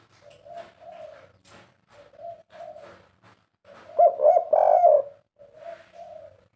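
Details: Captive spotted dove (tekukur, 'kuk 3' type) gives a string of quiet, hollow coos, then a louder, fuller rolling phrase, then a soft coo again. Light clicks are heard in the room.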